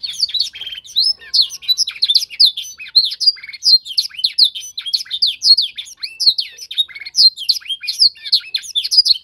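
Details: Young canary in song-training season delivers a long, steady stream of rapid high chirps and swept whistled notes, closely packed and rhythmic throughout.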